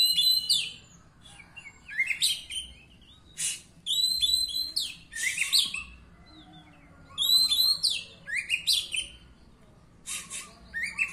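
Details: Oriental magpie-robin, a third-place winner at a bird singing contest on 17 April 2023, singing in separated bursts of sharp, high chattering and whistled notes, each lasting about a second, with quiet gaps between.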